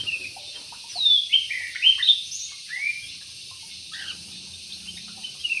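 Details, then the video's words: Yellow-vented bulbul in an aviary delivers a string of bubbly, swooping whistled notes, loudest in the first half, then trails off into softer chirps with a faint low buzz. "BURUNG TRUCUK"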